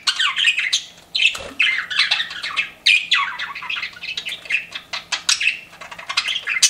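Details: Pet budgerigars kept indoors, several birds chattering together in dense bursts of scratchy, warbling chirps and squawks, high and busy, with brief pauses between bursts.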